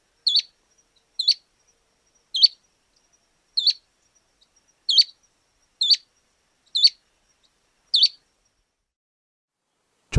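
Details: Pale-breasted Spinetail (Synallaxis albescens) song: a short, high, buzzy two-part phrase repeated eight times at about one-second intervals against a quiet background.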